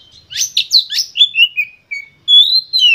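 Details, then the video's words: Oriental magpie-robin song used as a lure to stimulate other kept birds to sing: rapid varied whistles and buzzy chattering notes, then long clear descending whistles, loud and clean with no other sounds. "Pancingan Kacer Full Emosi"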